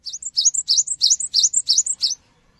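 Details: Rapid cinereous tit song for prompting other birds to answer: a steady string of about nine sharp, ringing two-part phrases, each rising then topped by a short high note, ending abruptly.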